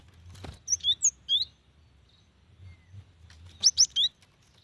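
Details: Cinereous tit female calling the male: two short clusters of high, slurred, twittering chirps separated by a quiet gap of about two seconds, with faint low background rumble.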